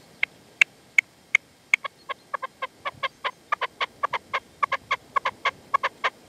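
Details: Partridge and reclamo decoy at sunset in the sierra, Manzanares, 27 February 2014, the wild male not coming in. Isolated sharp notes build into a quickening series of ringing chuck calls, roughly three a second by the end.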